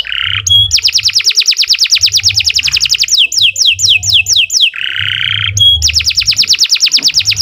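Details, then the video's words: Canary tutor song for training other birds, singing long and nonstop: extended rapid high trills interrupted by slower repeated downslurred notes and lower buzzy rattles, then another fast trill. "Kicau Burung Kenari II GACOR PANJANG Cocok untuk Masteran"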